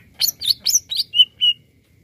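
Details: Greater green leafbird (cucak ijo) song used to stir up other birds: four sharp high chirps followed by two clear steady whistles, all within about one and a half seconds.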